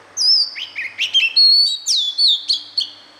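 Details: White-rumped shama singing a song meant for young birds to learn: clear, high whistles mixed with rising and falling slurs and short sharp notes in one continuous, fluid phrase.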